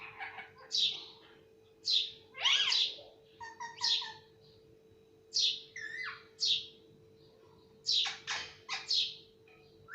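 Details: Talking parrot kept as a pet, reportedly able to say papa and mummy; a string of short, clipped, word-like squeaks and chirps, some with quick rising and falling tones, spaced at uneven intervals over a steady background hum.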